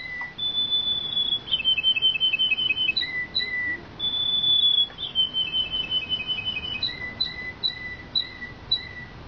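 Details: Belgian canary delivering long held whistles broken by rapid chirping trills, with lower and higher whistled notes alternating in an even, repeated rhythm.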